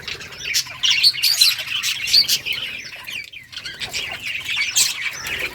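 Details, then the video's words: A colony of colourful budgerigars playing and chirping, recorded on August 25, 2023: dense overlapping high chatter and warbling from many birds, with sharp squeaks and occasional wingbeats. "budgies beautiful colors playing and chirping sounds for lonely birds"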